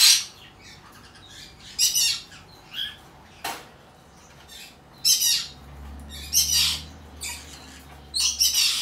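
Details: An albino cockatiel chick, hand-tame, Fukuoka, Japan, 28 August 2023: scattered harsh hissing squawks with short gaps of silence, a sharp click partway through and a faint low hum in the background.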